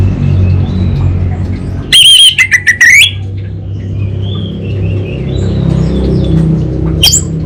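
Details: Orange-headed thrush, called anis bata, in gacor kabel konslet song: one loud burst of sharp rising and falling whistles, then softer scattered notes and a brief final whistle, over low steady hum.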